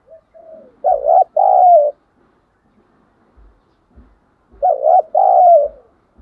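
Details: Spotted dove used as a lure bird, calling to draw in rival doves. A soft introductory murmur, then two low two-part coos about four seconds apart, with occasional faint knocks.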